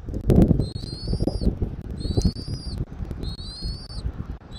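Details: Recorded at a Southwest Florida eagle nest by camera, 13 January 2024, 14:17: three long, high whistled calls with a slight upward lift at the end, amid knocking and wind noise.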